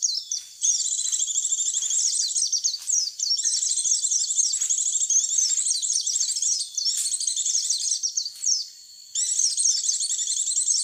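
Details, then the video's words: White-eye lure call, a clear recording meant to draw white-eyes in: dense, high-pitched twittering that runs almost without pause, with brief gaps near the start and near the end. "Suara pikat pleci"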